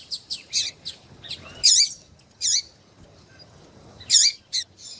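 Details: Female double-collared seedeater in heat, calling intensely to excite a male: short, high, buzzy chirps and squeaky notes, some in quick clusters, others spaced about a second apart, over a faint low hum.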